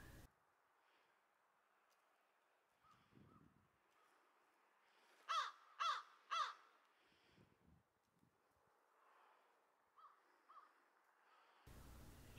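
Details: In spring with snow still on the ground, a friendly female crow, known to the recordist for seven years and hiding peanuts in the snow, gives three loud, harsh caws about half a second apart, with softer caws before and after.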